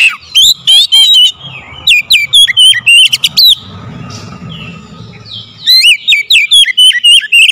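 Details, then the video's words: Oriental magpie-robin song meant to provoke singing: fast runs of loud, bright whistled notes, each swooping up or down, broken by a two-second lull with low background noise before the rapid phrases return. "SEKALI PANCING KACER LANGSUNG GACOR NAIK EMOSI"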